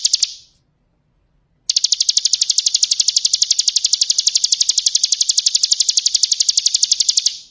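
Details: Hill prinia singing vigorously: a short opening note, a pause, then a long fast trill of sharp high notes delivered at an even rapid pace for about six seconds before fading out.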